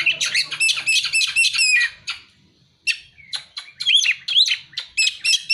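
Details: Oriental magpie-robin song with mimicked prinia and sunbird material: a fast burst of rattling, repeated chirps, a brief silence, then looping rising and falling whistles mixed with sharp chips.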